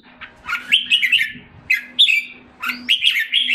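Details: Red-whiskered bulbul, a caged jambul in Singapore regaining health, utters short whistled and slurred phrases rising and falling, grouped in three bursts with brief gaps, over a soft steady hum.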